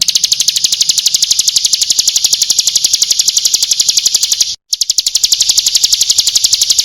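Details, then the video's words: A lure call of a female bar-winged prinia: a long unbroken train of rapid, bright, high-pitched notes, steady in pitch, with one very brief drop-out near the end. "Pancingan ampuh agar ciblek gunung ikutan bunyai suara Jernih"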